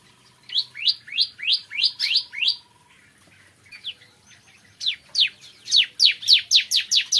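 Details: Bar-winged prinia in morning song, giving a rapid string of bright, descending notes, a brief softer pause, then an even faster, louder burst of the same slurred chirps.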